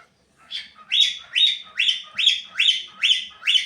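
A cockatiel gives a rapid series of bright, rising chirps, about two each second.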